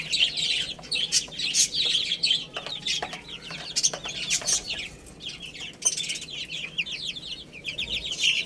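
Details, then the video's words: Baby chickens peeping continuously while playing and eating, many high curved chirps in rapid runs, with sharp clicking pecks scattered throughout and a soft background hum. "Cute Little Chicks Chirping Sounds| Baby Chicken Playing and Eating"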